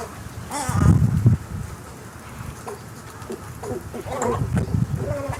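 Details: Snowy egrets making low, throaty gargling and grunting noises, one loud burst early, then softer croaks and chattering notes later, over steady background hiss.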